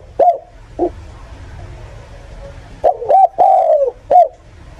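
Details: Spotted dove used as a lure for bird catchers, giving scattered low hollow coos, a short note then a pause, then a quick cluster of a double coo, a long falling coo and a clipped final note, over a low hum.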